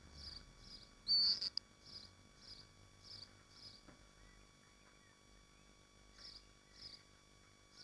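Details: Nesting swifts in Machynlleth, Dyfi Biosphere, on a live nest camera: a string of brief high screeches, one loud harsh burst early on, then softer evenly spaced notes over quiet hum.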